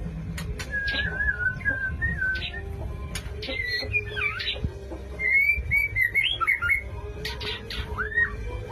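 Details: Male white-rumped shama courting a female: scattered, varied whistled phrases slurring up and down, some short and some sweeping, mixed with sharp clicks and knocks over a steady low hum and background noise.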